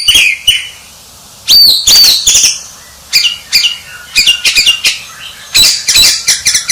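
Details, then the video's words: Choppy bursts of loud, high, sharp notes and chatter from a champion White-rumped shama, separated by short pauses. "Suara Murai Batu Sang Juara"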